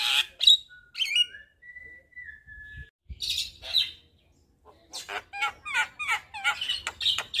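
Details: Javan myna song meant as tutor and lure for caged birds: scratchy notes and a long, thin, level whistle, a pause, then a dense run of harsh chattering and warbled slurs.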